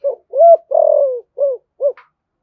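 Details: Spotted dove giving 'thúc gù' coos in the 'thổ' voice to draw out wild doves. A soft lead note, a rising-falling coo, a long rough descending coo and two short coos, ending with a faint higher click.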